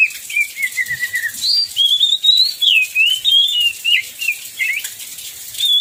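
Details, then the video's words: Singing oriental magpie-robin in heavy rain, a lure to get others singing: a falling whistle, then a long rich warbled phrase of rising and dipping slurred notes, against continuous rain noise. "Pancingan Kacer PAS HUJAN DERAS, Kacer Lain Langsung Ikut Gacor"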